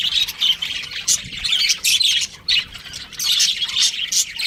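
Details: Pet budgie chirping in short bursts of high squeaky twitters, with brief quiet gaps between phrases.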